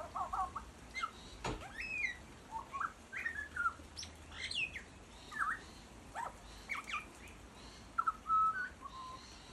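A butcherbird gives a loose string of clear, fluty whistles and short slurred notes, rising and falling in brief phrases over a soft background hiss.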